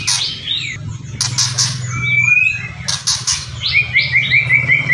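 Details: Whistling and kretekan by a white-rumped shama: bright high slurred whistles and a fast trilled run of rising notes near the end, alternating with dry crackling bursts, over a low hum.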